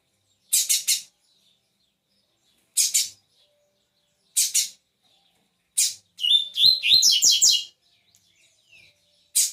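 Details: A caged coleiro sings from its perch with harsh, buzzy bursts of two or three notes spaced about two seconds apart, then a rapid, jumbled, chattering warble before the buzzy notes resume. No other sounds.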